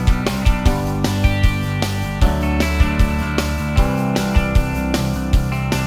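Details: Strummed guitar music with a steady beat throughout, and no animal calls.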